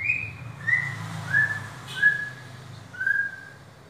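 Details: White-rumped shama, a caged bird, giving a slow series of five clear whistled notes, each slightly lower or level, spaced about every 0.7 seconds, over a low room hum.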